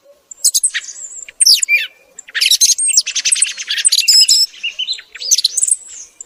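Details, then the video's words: Morning thrush song used as a lure for hunting: a dense run of scratchy trills, clicks and piercing whistled notes, varied and nearly continuous, with brief gaps. "صوت سمن صباحي رائع للصيد مجرب"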